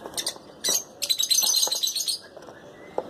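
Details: Lutino lovebird pairs give short, sharp high chirps, first a single burst, then a quick rattling string of squeaky notes lasting about a second, followed by quiet.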